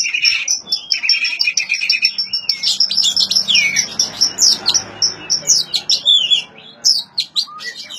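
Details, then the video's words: Oriental magpie-robin song played to prompt silent magpie-robins to sing: a dense, varied run of high whistles, rapid chirps and trills, with rising and falling slurred notes and buzzy bursts, nearly continuous throughout. "suara asli kacer untuk memancing kacer macet bunyi"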